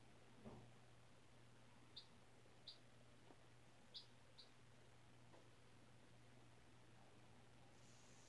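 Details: Baby chicken, four days old, raised from a classroom-incubated egg, kept indoors in new bedding: scattered brief high-pitched peeps, about five, with a soft rustle and a constant low electrical hum beneath.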